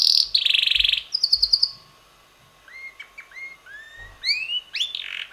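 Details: Red male canary about six months old, singing much of the day with weekly changing melodies: a loud buzzy high trill, a rapid rattling tour, a short pause, then a series of rising whistled slurs and upswept notes.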